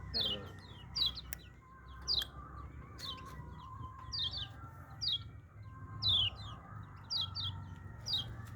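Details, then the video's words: Hand-raised yellow-vented bulbul giving short, sharp descending whistled notes, singly or in quick pairs, about once a second, with a low steady hum beneath. "BURUNG KECIAL KUNING HASIL TETASAN"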